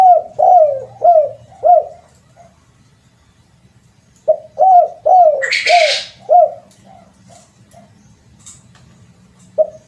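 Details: Spotted dove call used as a lure: low, hoarse cooing notes in a short repeated series, a pause, then another series, with a brief noisy rustle in the middle.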